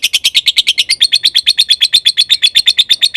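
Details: Konslet-style lovebird song used as a master recording to stir other lovebirds into answering: fast, unbroken run of sharp high chirps, each a bright metallic note, several every second, holding steady pitch throughout.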